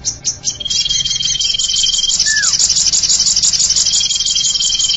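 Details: Common iora, used as a bird lure: a drawn-out flat whistle, then a quick downward-slurred note, then another long whistle, over a constant high, rattling, buzzy chatter.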